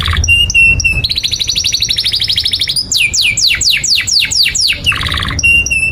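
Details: Long-singing canary, a tutor recording for young birds: clear steady whistles, a rapid rolling trill, then a run of steep downward-sweeping chirps and another short trill before the whistles return.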